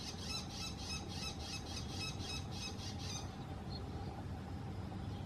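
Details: Bull-headed shrike perched on a house antenna, giving rapid scratchy, chattering notes several per second for about three seconds, then falling silent apart from one short note, with a constant low hum behind.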